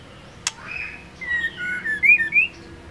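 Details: Female white-rumped shama whistling to arouse a male: after a sharp click, a phrase of flowing whistled slurs rises and dips, ending on a higher note.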